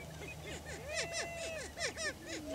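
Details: Cackling greater prairie chickens on a lek in Washington County, Kansas, where males display for breeding territory; quick repeated arching clucks and laughing whoops tumble over each other, with a faint low drawn-out note near the end.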